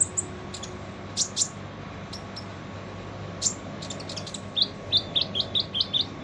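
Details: Harsh-toned song of a Van Hasselt's sunbird, kept as a tutor for other songbirds: sharp high ticks early on, then a quick run of six repeated downslurred squeaky notes near the end, with a faint hum behind.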